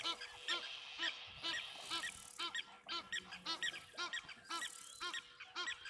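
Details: Egyptian geese, apparently unsettled, give harsh, nasal honks in an uneven series, about two per second, with a faint steady hum beneath, at a waterhole where birds were stirred up and an eagle-like call was heard.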